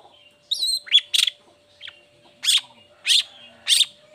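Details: Long-tailed shrike song used as a lure to get lazy or moulting shrikes singing: harsh broadband bursts and thin whistled notes high in pitch, with loud rasping notes roughly every half second and a steady faint hum beneath.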